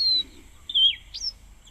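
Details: Cape Wagtail at an African waterhole on 14 July 2025, singing a few high, thin notes: a clear whistle, a slurred falling note, then a sharp upward chirp, over a faint low hum.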